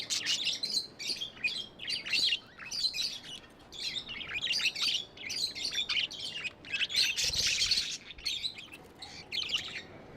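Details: Several tame budgerigars chatter continuously, high scratchy chirps and trills in quick bursts, with a brief louder rustle near the end.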